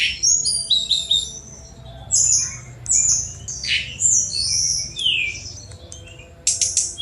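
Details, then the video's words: Sunda robin, known locally as tledekan gunung, delivers a busy fast song of high whistles, rising and falling slurs and buzzy phrases, ending in sharp repeated ticks. "Tledekan Gunung Speed Mewah"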